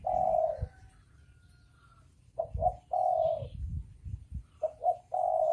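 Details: Male and female spotted doves cooing: a long coo, then two phrases of short clipped notes ending in a sustained coo, with low rumbling noise beneath.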